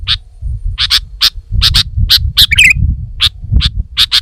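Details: Chattering female sooty-headed bulbul used as a lure bird: bright chip notes, often doubled, with one short warbled flourish; steady low rumbling noise throughout.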